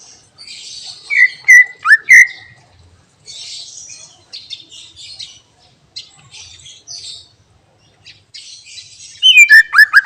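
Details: Greater green leafbird singing a mimicry-filled song: loud, slurred whistles falling and rising near the start, softer scratchy twittering in the middle, then a bright burst of looping whistled notes at the end.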